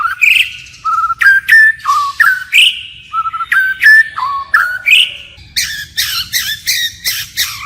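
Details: White-rumped shama singing a forest-style song and switching phrases continuously: loud clear whistled notes, some rising and some flat, in short separate phrases, ending with a run of harsher, buzzy bursts.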